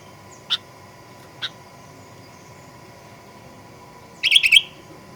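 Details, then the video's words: Sooty-headed bulbul lure recording meant to provoke aggressive singing: two spaced short chirps followed by a quick bubbly warbled phrase, over a faint steady hum. "Kicauan Kutilang Pikat Gacor Fighter"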